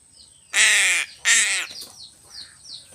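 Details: Crow receiving fish gives two strong, rough, drawn-out caws in quick succession, each roughly half a second long, with light high twittering of other birds around them.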